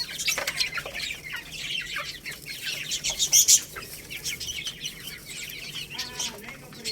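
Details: Young Lohmann Brown chicks, a little rooster and baby hen, chirping while eating rice: dense, overlapping, high-pitched peeps from several birds, with soft pecking and scratching noises underneath.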